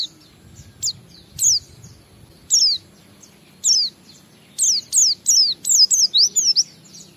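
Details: Oriental white-eye ngalas song used to lure other white-eyes into singing: separate high, downslurred whistles at first, then a quicker run of similar sharp, falling notes near the end.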